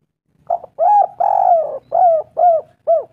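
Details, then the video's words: A single full spotted dove phrase, used as a lure: a faint opening note, a coo, a long drawn descending coo, then three evenly spaced short mellow coos. "Pancingan tekukur gacor sekali putar langsung nyaut suara merdu nyaring"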